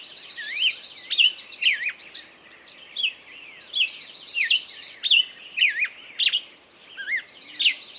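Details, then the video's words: Songbird gives repeated wavering whistles and sharp slurred notes interleaved with rapid chattered trills, in bursts separated by brief gaps, over a faint steady hiss. "пение птицы"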